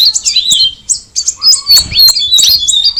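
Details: Cucak rawis producing a few slurred whistles, then sharp high chirps repeated about three times a second, somewhat irregular.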